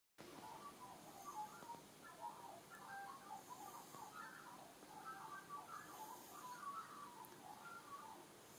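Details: Australian magpie warbling: a soft, continuous stream of varied fluted and gurgling notes at mid pitch. It runs for about eight seconds over a steady background hiss.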